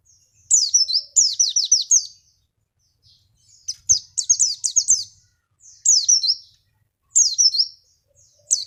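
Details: Lure recording of a Javan white-eye: bright, very high trills of rapidly repeated downward-sliding notes, delivered in clusters roughly every one to two seconds with quiet gaps between.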